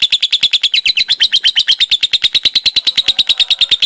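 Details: Lovebird singing its ngekek in the konslet style: a rapid, unbroken chatter of sharp, high pulses, about eight per second, holding a steady pitch with slight wavering throughout.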